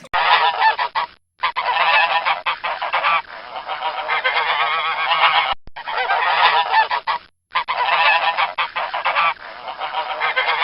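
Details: Domestic goose honking loudly: harsh, nasal honks in dense, overlapping runs, broken by brief silences near the second, sixth and seventh seconds, then resuming just as intensely.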